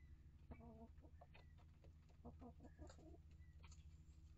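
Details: Domestic chickens in a coop and run, a flock of year-old Rhode Island Red, Barred Plymouth Rock and Light Brahma hens kept with younger chicks of several breeds; a series of short, nasal, harmonic clucks in uneven bursts over a steady low hum.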